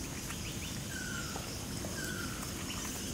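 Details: Ruddy kingfisher in Johor Bahru, Malaysia, in June 2022, giving two faint, drawn-out whistles, each sliding gently downward about a second apart, over a steady hiss of insects and background noise.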